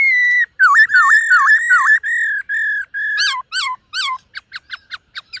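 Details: Silver-eared laughingthrush, a caged bird practising its morning song: loud clear whistled phrases near steady pitch with downward-curling notes, then quicker dropping whistles and a run of short rapid chips at the end.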